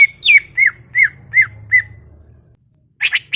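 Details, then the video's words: Greater green leafbird, noted as very chatty, at a garden: six sharp downslurred whistled notes in quick succession about every third of a second, then a harsh rasping burst, over a low background hum. "CUCAK IJO cerewet bin bawel"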